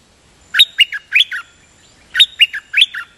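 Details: Dok Taeng bird singing in a double-note (lak boen) style, with two bursts of four bright, falling chirped notes each, separated by a short pause against a quiet background.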